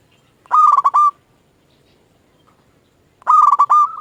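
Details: Zebra dove of a local strain singing to lure other doves into answering: two bright, rapidly pulsed cooing phrases about half a second long, separated by a quiet gap of two seconds.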